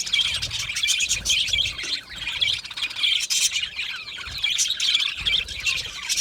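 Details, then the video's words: Contented budgerigars in a colony keep up lively overlapping chirping and warbling, rising and falling in waves, with soft low thumps now and then. "Australian Budgie singing sounds | Australian Budgie chirping sounds"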